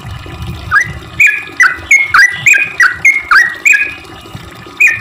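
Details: Sooty-headed bulbul giving a fast series of bubbly, swooping notes, about three per second, used as a lure for other bulbuls; low rumble under the first second.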